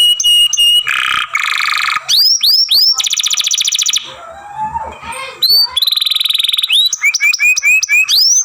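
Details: Masteran training song of a young canary: short whistles, buzzy rattles, swooping upswept notes and a rapid chattering trill, a softer warbled passage, then more buzz and quick rising whistles.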